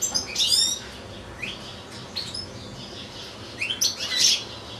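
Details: Captive European goldfinch among two goldfinches and two small goldfinch-canary hybrids, one bird in a breeding cage: a quick liquid twitter opens, then scattered rising chirps and a final bright, trilling flourish.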